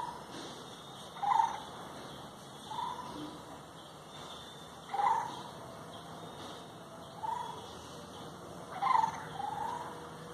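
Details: Birdsong in the countryside of rural Bengal: a mid-pitched warbling phrase recurs roughly every two to four seconds over a steady background hum and buzzing, with a few fainter calls in between.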